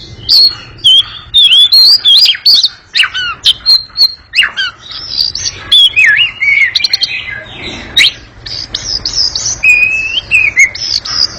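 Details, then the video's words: Oriental magpie-robin giving a long, very quick and noisy chattering song: dense runs of high whistled and buzzy notes, slurred rising and falling phrases and sharp clicks packed tightly together without pause. "Kacer ngekek panjang sangat gesit dan berisik"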